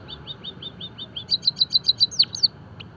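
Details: Finch or munia singing for song training and stimulation: a string of quick high chirps, then louder, rapidly repeated sharp notes and one long downward sweep near the end.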